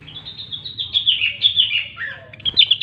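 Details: Rengganis or cucak wilis, the Grey-cheeked bulbul, in lively gacor song used to coax silent birds into singing. Continuous loud bright warbling whistles in rapid pulses, dropping briefly lower, then resuming high.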